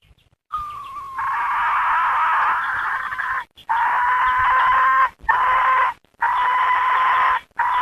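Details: Hen calling repeatedly: a thin gliding note leads into a long harsh buzzing drawl, then several further raspy drawn-out calls separated by short breaks.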